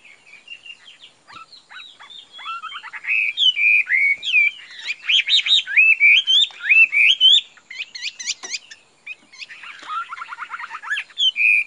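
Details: Chinese hwamei kept in a cage, its face markings and shiny plumage described as very beautiful, pouring out a long varied song of sweet looping whistles, sharp chips and fast trilled runs, with brief quiet gaps between bursts.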